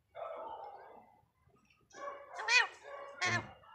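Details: Alexandrine parakeet talking, imitating human words in Hindi such as "Mummy"; a low murmured phrase, a pause, then squeaky, nasal word-like syllables with two sharp, high-pitched accented notes near the end.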